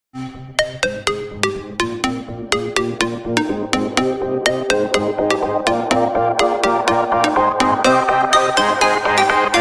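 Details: Electronic music with a repeated plucked beat that builds in density, and no animal sound.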